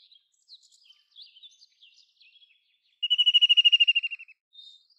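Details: ['Faint, varied chirps of other birds play in the background. Midway a White-throated kingfisher bursts into a loud, fast, slightly falling trill of about sixteen notes lasting over a second.']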